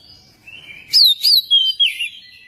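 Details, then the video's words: Magpie-robin song played to prompt another magpie-robin to sing: four clear whistled notes in quick succession, each sliding down in pitch, the last longest and falling. "pancingan kacer biar cepat gacor dan ngobra"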